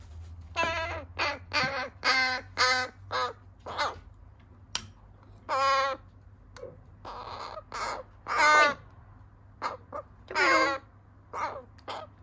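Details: Rescued crow chicks, several with disabilities, clamouring loudly at feeding time in midsummer: bursts of short raspy caws and longer wavering, grating cries repeated irregularly, some fainter, over a steady low hum.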